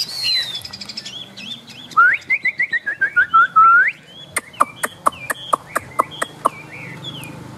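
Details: Chinese hwamei, a tame bird shown spreading its feathers, singing in the rain: high whistles, then a rolling series of loud, rising-and-falling whistled notes, ending in sharp, clicking chips spaced evenly apart.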